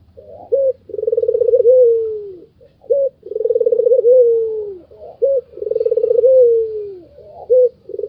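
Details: Repeated laughing call of a white Barbary dove, said to rile other birds. Three full phrases, each a short pure note, a pulsing rolling trill and a falling coo, about two and a half seconds apart in a steady rhythm.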